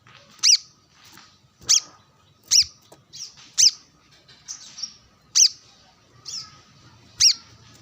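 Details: Brown-throated sunbird singing vigorously while sunbathing, calling a rival alongside wild birds; sharp, high, arched chirps repeated roughly every second, some notes softer and slurred, over faint low background hum.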